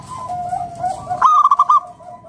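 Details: Local perkutut, or zebra dove, singing vigorously to lure other doves into song: after soft, wavering background cooing comes one loud run of about six rapid, bubbling coo pulses.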